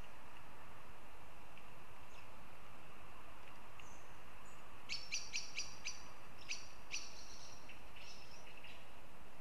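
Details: Northern goshawks at Riga, Latvia: after a quiet stretch, a burst of about seven sharp, clipped notes comes in a quick run, then a brief pause and a few more, over a steady background hiss.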